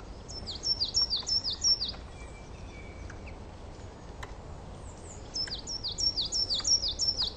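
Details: Coal tit singing in a garden, showing song variations: a phrase of about seven quick high two-note units, each a sharp downward-sweeping whistle, then a pause with faint distant chirps before a similar repeated phrase returns.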